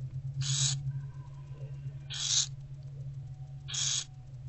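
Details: Barn owl owlets in an owl box in daylight, being fed by their mother on 15 February 2024, late morning: three harsh, broad hissing screeches, each about a third of a second, spaced roughly every 1.6 seconds over a steady low electrical hum.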